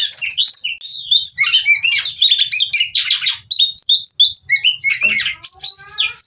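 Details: Female white-rumped shama in captivity, song meant to spur other birds into singing: varied phrases of looping whistled notes and quick chirps, rapidly alternating high and low, nearly continuous.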